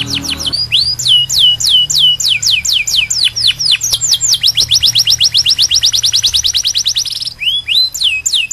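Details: Canary song used for tutoring young canaries so they sing freely: loud, fast series of sliding whistled notes, each dropping steeply in pitch, repeated several per second, switching to a quicker even trill midway, then back to slower drops.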